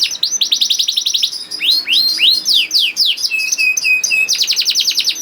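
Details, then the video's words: Young canary song used as a lure for reluctant singers: quick run of descending sweeps, slower swooping notes, a series of flat whistles, then a rapid rhythmic trill. "PANCINGAN KENARI PAUD TERBUKTI AMPUH MEMANCING KENARI SUSAH BUNYI IKUT GACOR"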